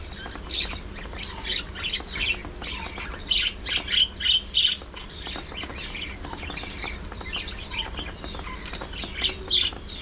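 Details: Several budgies chirp and warble together in a dense, high-pitched stream of short notes, with a few louder squeaky bursts near the middle and the end.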